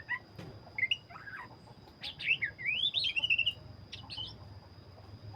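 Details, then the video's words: Black-breasted Oriental magpie-robin singing vigorously: a few scattered chirps, then a fast run of wavering whistled notes that climbs and tumbles, and a final pair of sharp notes, over a faint low hum. "burung Kacer dada hitam gacor"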